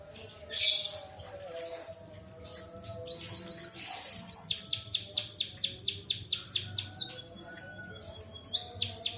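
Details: White-headed munia singing in imitation of a canary: a long run of rapid, high, descending chirped notes repeated about twice a second, one short whistled phrase, then a final burst, over a faint low hum.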